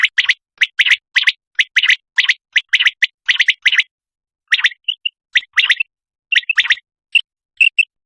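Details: A common quail in Pakistan gives quail sound used for hunting: sharp, liquid notes in quick bursts of two or three, each burst a fraction of a second apart, with brief pauses between runs.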